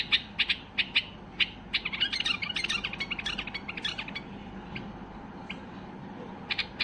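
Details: White-eared bulbul in peak excitement, singing to push other bulbuls into song: several spaced bright double notes, a dense rapid chattering run, then scattered faint notes and a final pair.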